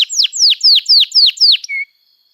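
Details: Canary singing a lively chirping song meant to teach young birds to sing. Seven loud, clear, downslurred whistles come about four per second, ending in a short flat whistle.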